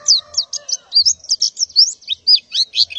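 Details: Morning calling by a breeding-condition female white-eye summoning males and the flock: varied high twittering chirps, some rising, some falling, tumbling together with a faint low hum beneath.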